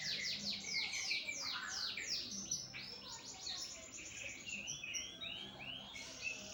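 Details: Canary of the lopper type singing actively: a continuous, high-pitched song of fast trills and rapidly repeated downward-sweeping notes, bright and rolling, with faint background noise.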